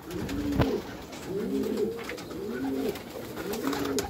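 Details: Four distinct low coos, roughly one per second, each an arched, rising-and-falling moan, from Meulemans racing pigeons housed in a backyard loft, with a sharp click near the start.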